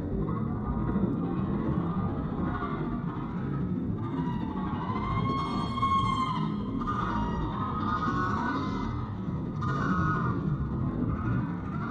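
Steady guitar-led music plays throughout, with sustained plucked notes and bending tones and no animal calls heard.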